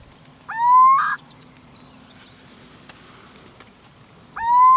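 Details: Little owl in Spain calling twice, each a clear rising note that swells and breaks off sharply, about four seconds apart, over a quiet, faintly humming background.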